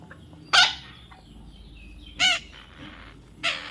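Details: Baby parrot calling during taming, with three brief harsh squawks spread over a few seconds, the first loudest, over a soft hissing background.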